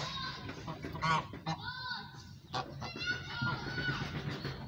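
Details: A pet goose talking to its owner with nasal, harmonic honks: a short burst, then a longer wavering call, then a drawn-out level honk near the end, mixed with faint household noise.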